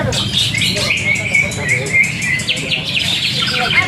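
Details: Greater green leafbird kept for song contests, a repeat first-place winner, singing a lively stream of high, clear whistles and rapid chips in short bursts, with faint voices behind.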